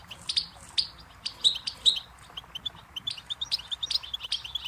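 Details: Goldfinch delivering a lively stream of high chirps and short trills, starting with louder notes, then a steady run of softer twittering.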